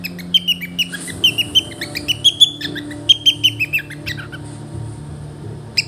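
A cockatiel gives short, high squeaky chirps in quick irregular bursts.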